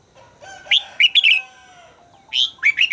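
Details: Red-whiskered bulbul singing during voice training, with quick slurred chirps in two short groups over a faint, steady, humming tonal background.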